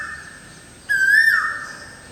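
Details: Single loud whistled note from an Asian koel sitting in a tree facing a balcony, rising sharply then falling away, with a faint steady electronic whine behind.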